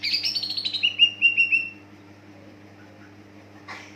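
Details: Greater green leafbird song used to trigger other leafbirds to sing: a rapid chattering run sliding downward, then four clear whistled notes, ending in a brief harsh burst; steady low electrical hum underneath.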